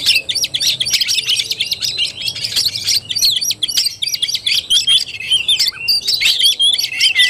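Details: Fighting-style kacer song from an Oriental magpie-robin on 17 August 2021: rapid stuttering chirps in a steady stream, later joined by clearer, drawn-out whistled notes and downward slurs.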